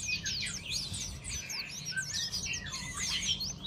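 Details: A long-tailed shrike being sunned in the morning sings a fast, unbroken stream of high, scratchy chirps and quick up-and-down whistled sweeps, over a faint low hum.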